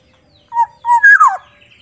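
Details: Sumbawa Black-naped oriole, soft-voiced, uttering two short low whistles followed by a loud liquid phrase sweeping downward, with a faint high trailing note afterward.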